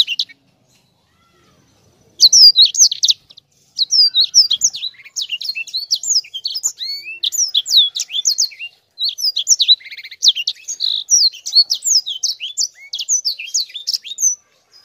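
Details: Chatty sanger in rolling, tight song: long, dense runs of very high, rapid chips and slurred whistles, briefly paused, then resumed almost without gaps.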